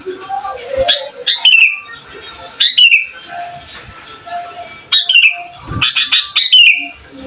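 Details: Energetic sooty-headed bulbul singing to provoke other bulbuls, for training young birds: liquid whistled phrases that drop in pitch, coming in bursts between quieter pauses, with a few low thumps.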